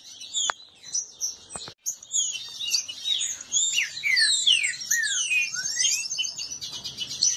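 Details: Kept green-winged saltator males disputing, singing in marcha style: a dense stream of overlapping whistled slurs and rising and falling notes from several birds, with a few sharp knocks near the start.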